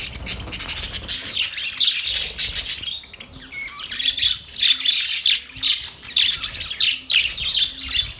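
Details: Budgerigars during mating give a dense, continuous chattering warble of scratchy high notes and squawks in bursts, with a faint low tone pulsing under it roughly every half second.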